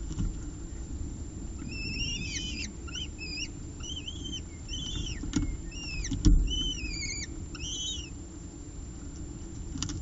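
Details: Peregrine falcon eyases fed at their ledge nest by the mother, 30 September 2018; a run of short arched squeals starts after two seconds, pauses, resumes with a sharp knock, then fades into low background noise.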